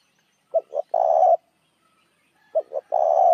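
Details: Decoy cooing of a spotted dove for luring other doves: two phrases, each opening with two short low notes before a drawn-out soft coo, separated by a quiet gap of about a second.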